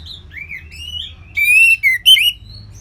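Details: Orange-headed thrush song in a loose ngeplong style. Soft rising whistles build into a loud, bright slurred phrase, a falling note, and a sharp high flourish.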